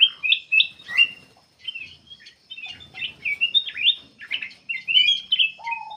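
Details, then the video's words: Black-capped bulbul song recorded to lure other birds into singing: quick, sharp, downslurred chirps and burry warbles in uneven bursts, ending on a low, steady whistle. "KUTILANG EMAS \ CUCAK EMAS GACOR FULL GACOR sangat bagus buat pancingan \ pikat"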